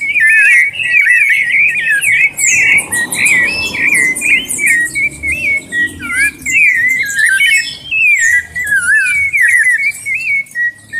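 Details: Sabiá thrush warming up (esquenta) with a loud, continuous run of clear whistled phrases that rise and fall, twisting and looping without pause over a faint low hum.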